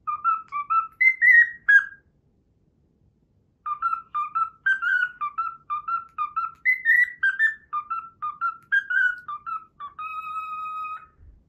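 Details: Learned Pythagora Switch tune whistled by a pet cockatiel: rapid bouncing two-note phrases, a break of about two seconds, then a long run of repeated melodic whistles ending in a steady, flat sustained tone.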